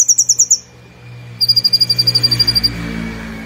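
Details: Brown-throated sunbird in a cage: a short burst of high ticking notes, then a longer, even series of thin rapid notes fading out against a background of broad low rumbling noise.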